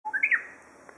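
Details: Japanese bush warbler singing from a tree beside a frog pond full of swimming toad tadpoles: a soft low steady whistle followed by a quick, brighter rising-and-falling flourish, brief and fairly quiet, over faint background hiss.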